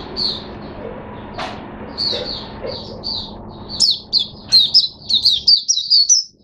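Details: Caged Oriental white-eye opening into song, kept on mineral-mixed drinking water, recorded 5 May 2022: high, thin, sweet notes in quick bursts that grow into a rapid run of whistled phrases in the second half, over a low steady hum.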